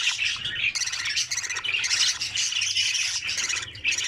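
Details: Opened nest of budgerigar chicks during feeding: hoarse, grating begging squawks repeated rapidly in overlapping bursts, with a faint low hum in the background.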